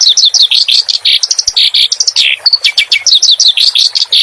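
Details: Clamorous reed warbler song from a recording meant to teach caged songbirds, with water sounds added. Dense, loud, jumbled chattering runs without pause, mixing down-slurred notes, harsh buzzes and quick chips.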